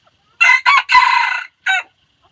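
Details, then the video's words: A white-eared decoy rooster crows strongly: two quick loud opening syllables, a long steady raucous middle stretch, then a separate short descending final note, recorded with silence around it. "Lau qaib dib dawb ntseg qua zoo heev-ไก่ต่อหูขาวขันเพราะมากที่สุด(เสียงขันอมตะ)"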